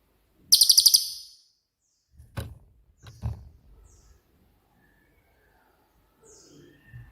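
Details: Cililin giving its 'tembakan' type song, used to train songbirds such as murai batu and cendet; one short, very high trill of about six rapid pulses, followed by soft low thumps and near silence.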